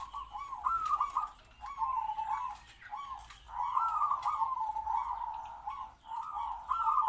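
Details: Zebra dove decoy kept in a small open cage near other doves to call in wild birds, its medium voice already giving kwor kwor; looping coos, then a long purring trill, repeated twice.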